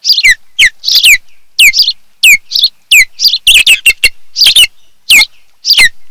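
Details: Wild osprey pair at their nest on Kent Island, Maryland, filmed by a nest camera on a July 2018 afternoon; loud, shrill whistled chirps sweep steeply downward, repeated about twice a second, sometimes in quick clusters.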